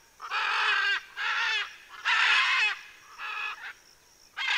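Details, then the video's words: Macaws cooling off, Southern California, dated 7-12-2023: a rapid run of five rough, nasal squawks, each under a second, coming almost back to back, with a faint steady high hum in the background. "Guacamayas refrescándose"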